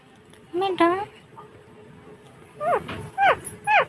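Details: Caged Alexandrine parakeet, a talking pet parrot, giving short screechy, down-slurred squawks: a pair of calls, a pause, then three similar harsh notes in quick succession.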